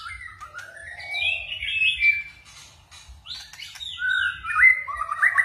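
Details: White-rumped shama with varied forest-style singing: drawn-out sliding whistles, a gap, then bright, quick descending whistled notes; faint clicks and a steady low hum.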